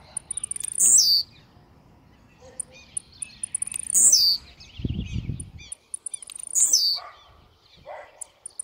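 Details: Very aggressive blue-black grassquit gives three sharp, high buzzy downslurs about three seconds apart. Scattered high chips accompany them, and there is a brief low rumble midway.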